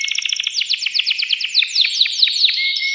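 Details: Male canary singing to excite a female for breeding, used as tutor song for young birds: a quick series of bright downward-sweeping chirps, repeated about five per second, ending in a short whistle.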